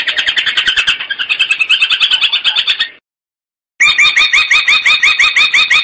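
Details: Long-tailed shrike song used as a training recording for a promising young shrike: a fast, scratchy run of high chattering notes, several per second, broken by a brief gap before resuming.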